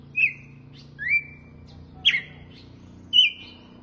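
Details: Red-cowled cardinal singing in the "açoite" song style: four clear whistled phrases, each a short sharp note sliding into a level whistle, spaced about one second apart, over a faint low hum.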